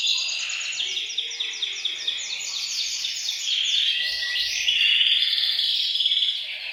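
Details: Canaries in a bird room singing together, used to stimulate males and ready females for breeding; quick chopped downward trills give way to clear ringing whistled rolls, all high-pitched and unbroken.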